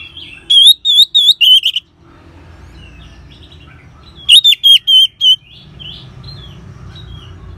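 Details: Orange-headed thrush in ngeban singing style, used as a lure to get caged birds singing: two bursts of loud, clear whistled notes with wavering pitch, four or five in quick succession, separated by quieter soft twittering.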